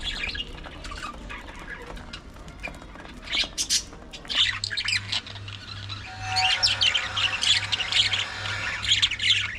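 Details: Domestic budgerigars chatter in dense, scratchy bursts that build into continuous warbling and squawking, over a steady low humming tone in the second half.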